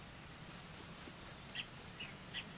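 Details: Common kingfisher chick waiting for its mother to return: a steady series of about nine thin, very high, short piping notes, evenly spaced roughly every quarter second, with a few lower squeaky notes mixed in.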